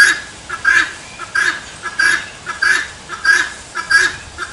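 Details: Helmeted guineafowl repeating its rasping "tô fraco" cry: loud, harsh paired syllables spaced regularly, roughly six bursts in a few seconds, against a quiet background.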